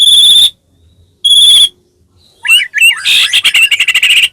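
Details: Caged white-rumped shama, song played to spur other birds into singing: two long steady whistled notes, then slurred twisting whistles and a dense run of fast chattering notes.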